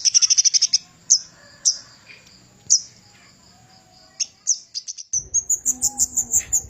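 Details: A Javan cochoa singing, kept as a master track for training songbirds: a fast run of high notes, scattered single sharp whistles, then a rapid, evenly spaced series of high chips.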